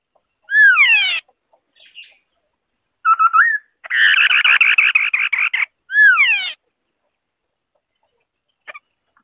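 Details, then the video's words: Varied singing from a White-browed scimitar babbler (Pomatorhinus schisticeps): a loud whistle sweeping downward, soft notes, a short whistled phrase rising at the end, a long rapid buzzy chatter, then a second downward-sweeping whistle. "Tiếng chim Họa mi đất mày trắng ✅White-browed Scimitar-Babbler (Pomatorhinus schisticeps) singing"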